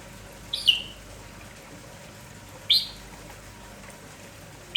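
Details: A lively red-whiskered bulbul (merbah jambul kampong) sings without stopping in the morning. Short chirpy whistled phrases repeat roughly every two seconds, each a quick rising-then-falling flourish.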